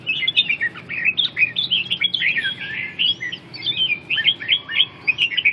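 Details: A red-whiskered bulbul pours out a dense, lively run of quick, rolling whistled chirps and trills, almost without pause, over a quiet background.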